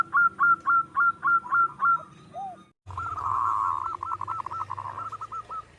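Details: Zebra dove from the wild, local stock, in full song for luring other birds: seven loud evenly spaced clipped notes, one lower curved note, then after a cut a rolling trill of repeated notes over low background rumble.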